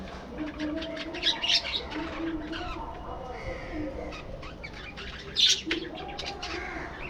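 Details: In a breeding colony aviary, captive budgerigars give scattered soft chirps and warbles, with two louder bursts and a low murmur in the background.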